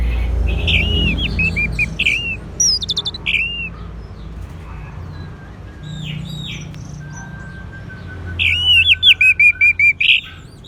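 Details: Orange-headed thrush song used as a lure for a silent bird. Scattered whistled phrases over background rumble, ending in a fast rattle of short, evenly repeated notes.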